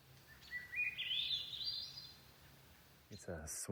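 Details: A Swainson's Thrush singing in a forest on a wilderness property gives one breathy, flute-like phrase that spirals upward in pitch over about a second and a half. A man's voice follows at the end.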